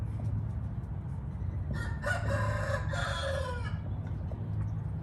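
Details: Red junglefowl giving a single drawn-out, harsh crow at moderate distance, a few seconds long, partly masked by a constant low hum and rumbling background noise.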